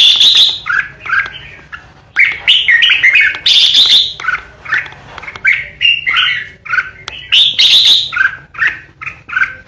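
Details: Decoy red-whiskered bulbul singing a fast, steady stream of chirped and warbled notes, mixed with several harsh squawking ché bursts.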